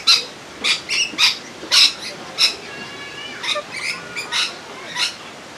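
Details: Little corella at Campbelltown bird forest, May 2021, calls out a hoarse, high-pitched "hello" in short raspy bursts, about nine in six seconds, mixed with brief squawks.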